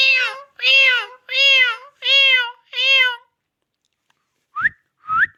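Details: Talking Indian ringneck parrot repeats five long, nasal, word-like syllables at an even pace. After a short silence come two brief rising whistles.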